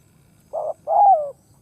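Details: Decoy spotted dove cooing to lure wild doves: a short mellow note followed by a longer note sliding downward. A third note begins at the very end. Background is quiet.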